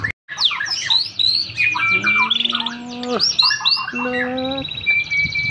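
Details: On a street, a champion white-rumped shama put down low to test its temperament pours out a dense mix of bright whistles and quick rattling notes, while two sustained low humming tones sound in the background.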